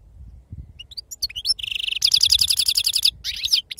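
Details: European goldfinch, wild 'serfati' song type: a few rising chirps lead into a sustained metallic trill of rapidly repeated notes, followed by a short twittering flourish, with low rumble in the background.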